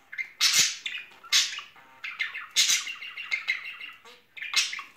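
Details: Courting budgerigar pair in spring, kept as pets: rapid warbling chatter of squeaky chirps and harsh scratchy squawks, mixed in irregular bursts about every second.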